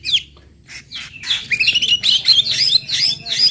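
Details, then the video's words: White-rumped shama song meant to provoke other birds, a dense run of loud high chirps and slurred whistles repeated in quick succession, buzzy and varied. "TEMBAKAN MURAI BATU PEMANCING EMOSI AMPUH BIKIN AMPUH BIKIN MURAI CEPAT BUNYI"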